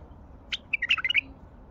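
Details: Brief, rich phrase from a wild Baghdadi bulbul: a sharp opening note, then a fast tumble of fluty, bubbling syllables that bounce up and down, lasting under a second against a quiet background.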